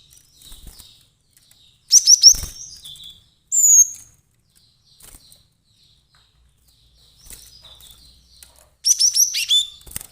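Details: Lure-call recording of an agitated cinereous tit for bird trapping: scattered bursts of high, thin chirps, one clear upslurred whistle, and softer faint twittering between louder phrases.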